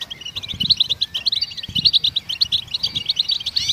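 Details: Goldfinch song to encourage songbirds to sing: a rapid, tinkling sequence of bright chirps and short trills delivered in quick bursts, with a soft low thump now and then.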